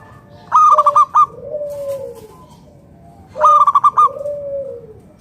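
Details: Local zebra dove singing steadily as a lure for other doves: a pair of fast, staccato, ringing coo phrases, each trailing into a smooth, falling lower note, spaced about three seconds apart.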